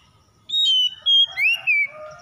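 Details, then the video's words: Home-kept Oriental magpie-robin starting after a brief silence with a long, level, pure whistle. It then gives a rising slur and a few shorter clear notes, over a quiet low background. "PANCINGAN SETIAP SAAT KACER RUMAHAN LANGSUNG GACOR"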